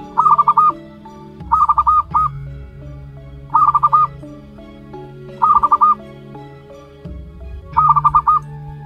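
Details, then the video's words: Local zebra dove chick, one month old, calls repeatedly: five bursts of quick, evenly pulsed cooing notes, some followed by a single trailing note, roughly every two seconds over a steady low hum. "PIYIK USIA 1 BULAN | PERKUTUT LOKAL ALAM"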